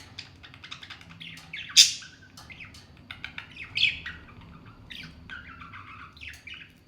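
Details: Two pet parrots fighting in fun, a run of clicks and chirps broken by two loud grating screeches, then descending squawks and quick chatter.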